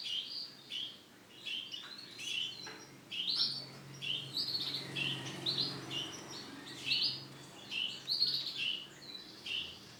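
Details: Male canary singing short bright chirped phrases, each under a second, with brief gaps between, over a steady low hum.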